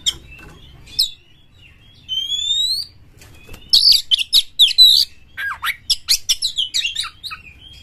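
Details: Kacer galak, an aggressive magpie-robin for rousing other birds to sing, opens with sparse notes and long rising thin whistles, then breaks into a dense rapid series of loud varied chirps.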